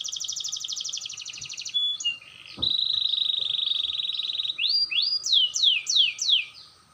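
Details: Canary practising its roll with a clear voice: a rapid pulsed trill, then a sustained smooth rolling note, ending in a series of loud, swooping whistles repeated about four times.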